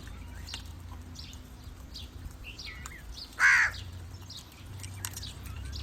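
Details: Crow call meant to attract crows: a single strong, harsh caw after several seconds of faint high chirps from small birds, over a low background hum.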